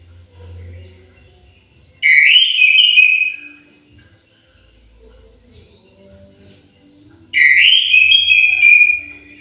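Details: Orange-headed thrush in an aviary singing: two sweet whistled phrases of fast, downward-slurred notes, each under two seconds, spaced about five seconds apart, with quiet background between them.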